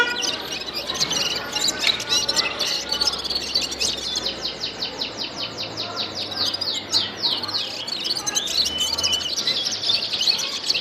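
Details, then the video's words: Gulsar in song, pouring out a long stream of high, thin chirps; midway the notes fall into a fast, even series of short downslurred ticks before breaking into jumbled twittering again. "Gulsar bird singing ګلسر مرغی"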